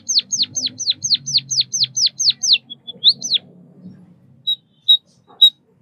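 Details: Chirping of a white-headed munia: about ten downward-sweeping high whistles in a row, two soft flat notes, one more slurred whistle, then three isolated short high chirps after a quiet spell.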